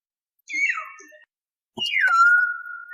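Common hill myna giving two loud, clear whistles that slide downward. The second begins with a sharp click and ends on a long, steady note. The setting sounds like a small room.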